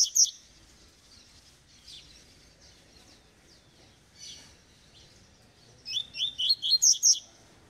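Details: Eight-month-old double-collared seedeater singing in the tui tui (vibro) style: a short burst of high sharp notes opens, a quiet stretch with a faint chirp follows, then a rapid run of about eight bright, slurred, rising notes near the end.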